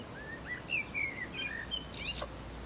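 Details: Four-week-old Pekin bantam chicks foraging in a garden with their silver laced Wyandotte mother: a run of thin, clear peeps, some rising and some falling, with a sharper high chirp near the end over steady outdoor hiss.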